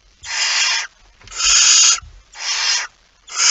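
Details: On 23 September 2019 a barn owl at its prey-stocked nest produces four broad, scratchy hisses, roughly one per second, each around half a second long, with quiet low scuffles in the gaps.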